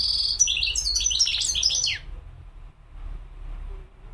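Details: Single fast European goldfinch phrase of sweet, liquid trills and twitters for two seconds, ending in a dropping slur, then low background murmur.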